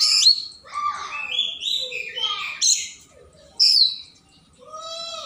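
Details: Morning song of an Oriental magpie-robin, insistently challenging a rival: a tumbling medley of whistles, descending slurs and scratchy notes, then a loud shrill burst and a fading drawn-out whistle at the end.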